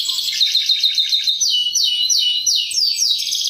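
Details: Canary lure chirping: a fast, fine trill opens, then four or five loud descending swooping whistles follow one another about every half second, bright and high-pitched.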